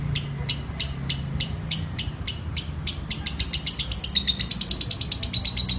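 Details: Lovebird song building into ngekek: spaced shrill chirps for three seconds, then accelerating into a dense, rapid chattering stream of high notes that falls slightly in pitch.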